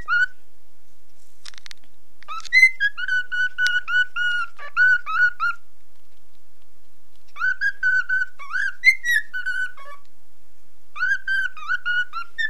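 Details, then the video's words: Pet cockatiel, nine months old, whistling along with a mobile phone at home, giving phrases of short, even whistled notes in three bursts separated by pauses of silence. "cockatiel singing and folowing my mobile"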